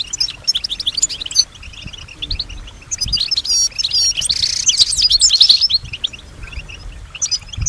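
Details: European goldfinch kept at home, described as copying nearby sounds; quick high chirps and tinkling notes, building to a louder burst of buzzy twittering midway, then softer scattered chirps.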